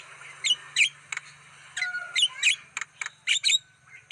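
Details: Black-winged starling, used as a lure to attract wild birds: harsh, squawky, chattering notes in short irregular bursts, about a dozen across four seconds, some doubled, over a faint steady low hum.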